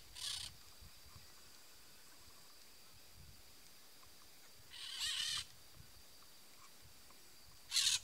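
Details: Peach-fronted parakeet giving three harsh, grating screeches spaced several seconds apart, each about half a second long, over a steady high insect-like drone and low background rumble.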